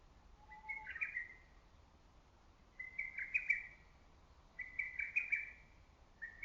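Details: Lesser cuckoo calling from the trees in early summer; four loud bursts of quick staccato whistled notes, spaced about two seconds apart, with one soft low whistle from another bird near the start and quiet background.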